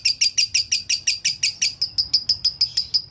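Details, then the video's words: Vigorous konslet song from a lovebird, used to train other lovebirds: bright, shrill chirps repeated about three times a second, a little faster at first, then steady and even. "LOVE BIRD GACOR ( KONSLET )"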